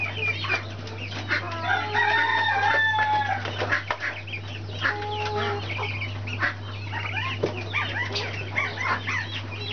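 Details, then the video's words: Brahma chicks cheeping steadily: many brief, high, sweeping peeps in quick succession, with a few longer drawn-out whistled notes near the start, all above a continuous low hum. "Brahma chicks"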